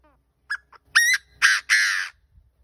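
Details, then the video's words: Partridge decoy bird gives its call: a faint falling note, brief chips, then a trio of harsh, grating notes building in length, with a low background rumble. "Tiếng chim gà gô mồi gáy hay"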